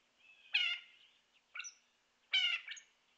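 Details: Northern shrike (Lanius borealis) calling off camera near an emptied feeder in Ontario on March 13, 2018, warning other birds away: two harsh, nasal, rasping notes about two seconds apart, with a shorter thinner note and high whistle between.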